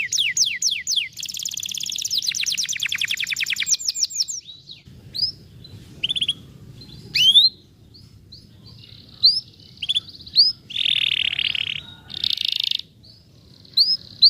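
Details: ["Canary song in the 'vara de pescar' style, meant to stimulate a lazy canary to sing: fast rolling trills and rapid repeated high notes at first, then scattered upswept chirps, short buzzy bursts and pauses."]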